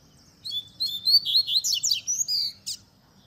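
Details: Coleiro, the double-collared seedeater, in its tui tui zel zel song used to teach young birds, with nature sounds: a rapid run of high whistled and slurred notes, rising and falling, ending in a short sharp buzz.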